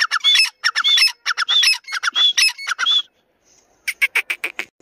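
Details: Grey francolin calling, in a Dakni versus Irani teetar voice comparison: rasping chattering phrases, each with a rising whistled note, come in a fast series, then a brief gap and a softer string of clipped notes.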